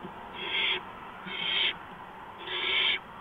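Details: Barn owl nest in the early morning of 6 March 2015 as prey, a mouse, arrives; three drawn-out, noisy hissing screeches, each swelling slightly before cutting off, with short quiet gaps between.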